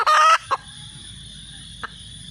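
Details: Red junglefowl hen letting out one loud, harsh, drawn-out squawk, followed by two separate short clucks, with a faint steady background hiss.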